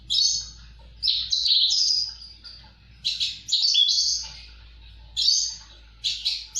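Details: Gacor singing by a Javan bush lark: long high chattering warbles with sharp notes, separated by pauses of about a second, against a constant low-pitched hum.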